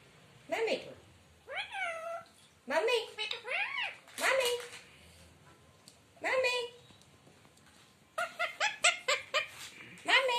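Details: Indian talking parrot kept as a pet, chattering nonstop in a room in short harsh bursts of speech-like phrases with sharply rising and falling tones, several groups of quick syllables separated by brief pauses, a person speaking nearby.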